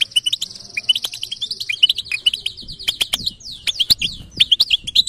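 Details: European goldfinch in full batbata song, a dense, almost continuous twitter that starts with a long buzzy trill and moves into fast downslurred notes and sharp chirps, with scarcely any pause.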